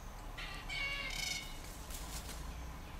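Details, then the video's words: Red-tailed black cockatoo uttering a single drawn-out, rasping call with a rolling, grating quality, then quiet with low background hiss. "Red Tailed Black Cockatoo"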